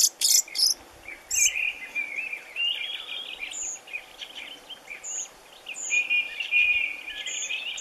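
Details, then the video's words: Mist-netted European robin released at a ringing station at Goumbaritsy, Lake Ladoga, Russia; bright high chirps open, then a steady run of warbled, trilling phrases with brief high ticks throughout. "Rougegorge familier (Erithacus rubecula) libéré du filet"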